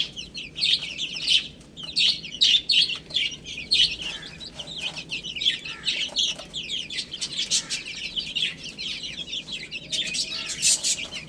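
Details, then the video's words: Several little chicks eating spinach, giving steady, shrill, overlapping peeps in bursts, with scattered clicks and rustles from their feeding. "Adorable Little Chicks Chirping Sounds"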